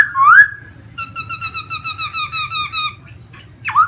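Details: Singing pet laughingthrush from Vietnam, known for fanning out as it dances; a rising whistle, then about eleven evenly spaced pure whistled notes slowly dropping in pitch, and a final swooping note.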